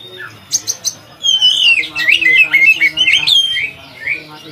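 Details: Singing Oriental magpie-robin, kacer used to train other kacer birds, opening with a few clipped notes then a sustained, rapid warble of whistled sliding phrases, with a faint low hum beneath.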